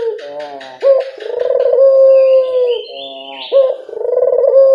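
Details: Barbary dove lure coos meant to draw replies from local birds: a rough rolling note followed by a long smooth held tone, with a brief higher chirp from another bird midway.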